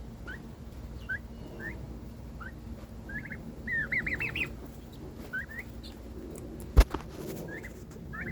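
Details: Pet domestic turkey sibling giving new, attention-seeking noises: scattered short upward chirps, then a fast cluster of rising yelps, then more spaced chirps, with a sharp knock and a low background hum.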